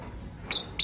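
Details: Lovebirds, a green personata and a pastel white, chirping in the morning: two short, shrill, high chirps in quick succession, the second following about a quarter second after the first, over a low background hum.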